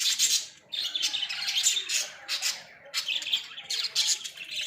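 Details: Budgies from Australia in a small pet cage keep up continuous scratchy squawks and chirping warbles, dense and overlapping with barely any pause.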